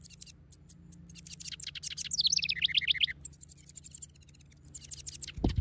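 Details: Male house wren in a backyard, busy building a nest; a bubbly, rapid, descending trilled song, then a run of thin high repeated notes, over a steady low hum, ending with a sudden thump.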